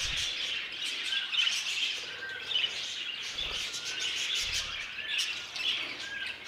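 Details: Budgerigars housed in an aviary chatter in a dense, high-pitched twitter, with scattered sharper chirps and thin slurred whistles rising above the flock.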